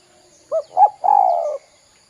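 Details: Spotted dove used as a lure to make young doves call, in the kuk-kuk style: two short hooting notes, then a drawn-out, slightly falling coo, in a quiet background.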